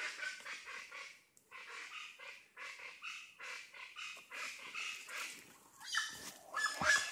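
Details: Plain Chachalacas calling near a farm road at Red Bank, Stann Creek, Belize, later spotted in a tree; a harsh, raucous run of rapid broadband notes repeats steadily for about six seconds, growing louder toward the end.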